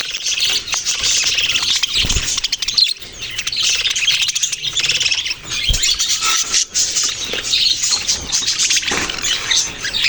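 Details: Chirping budgerigars fill the recording with steady high-pitched twittering, warbled squeaks and scratchy chatter, broken by a few brief quieter gaps and soft knocks.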